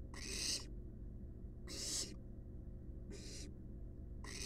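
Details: Wild barn owl nestlings resting in a monitored nest box: four harsh, breathy hissing bursts, each about half a second, with a steady low hum underneath.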